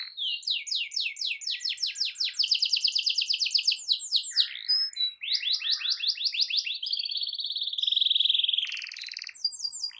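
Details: Canary song for coaxing a silent canary into song: long runs of repeated swept whistles and fast rattling trills, then a steady buzzing roll, continuous and energetic.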